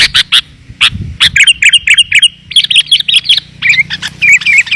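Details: Sooty-headed bulbul lure sound for calling in wild kutilang: a few separate sharp chips, then a busy stream of rapid bubbly chirps, over a faint low hum.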